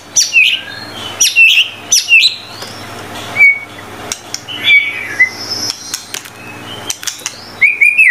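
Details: White-rumped shama (murai batu), gacor song: sharp high chips and clear whistled notes in quick irregular bursts, some phrases dropping in pitch, against a low hum.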